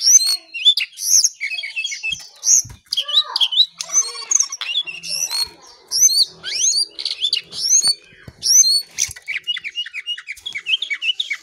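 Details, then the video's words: Cingcoang coklat, the lesser shortwing, in a long continuous outpouring of high twittering song: rapid chains of thin rising and falling whistles, hardly pausing, with varied notes packed tightly together. "Jongkangan/Cingcoang coklat paling gacor"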